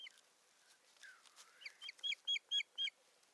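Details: Osprey at its nest in Satakunta, Finland, on 7 May 2019, filmed by a live nest camera while one bird brings a twig and busies itself; a run of sharp, whistled chirps speeds up and grows louder, about two per second.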